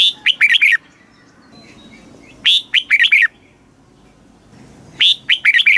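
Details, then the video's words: Caged-bird training song of a red-whiskered bulbul, Thailand, in southern master style, used to excite birds and teach chicks: three bursts of rapid, liquid, up-and-down whistled notes, roughly every two and a half seconds, with quiet gaps between. "เสียงนกกรงหัวจุก สำหรับต่อ หรือ เปิดให้นกคึก"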